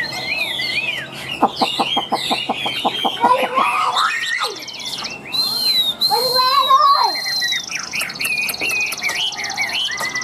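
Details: Caged Chinese hwamei with a loud, resonant voice mixing a fast series of sharp ticking notes with varied whistled slides and chattering phrases in a busy, somewhat noisy sequence.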